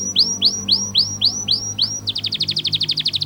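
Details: Canary song used as song-teaching audio: six arched whistled notes, about three per second, breaking into a fast even trill of short high notes.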